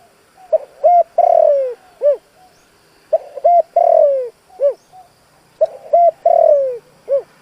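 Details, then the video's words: Caged decoy spotted dove in the driving-coo style used to lure wild doves. Three phrases about every two and a half seconds, each short coos, a long sliding coo, then a single short note. "Tiếng chim cu gáy kích bổi bài bản đủ bài bổi nghe là nổi. Cu gáy mồi cây thúc gù"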